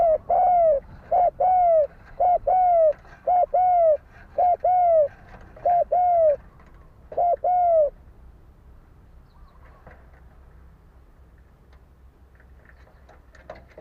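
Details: Fighting-style spotted dove cooing used as a lure: a rapid run of about seven short, hollow, falling coos in the first eight seconds, then near silence with faint distant sounds.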